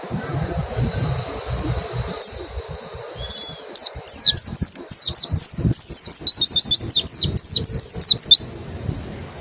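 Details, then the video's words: Mountain white-eye lure of 'ngecal' calls and 'nembak' song to trigger quick singing: a few thin whistles lead into a long, fast, run of high, looping, descending notes. "Suara PLECI NEMBAK dan PANCINGAN NGECAL... Sangat EFEKETIF buat rangsang CEPAT BUNYI"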